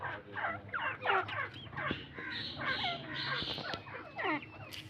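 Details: Partridge, named Irani teetar, giving a busy stream of harsh downward-sliding notes that overlap and vary in loudness. A steady low hum and a brief sharp click come near the end.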